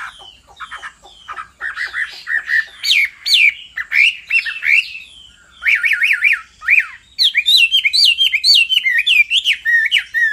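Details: Hwamei male song prompted by female calls: soft ticking notes first, then loud slurred whistles and quick chattering phrases building in strength.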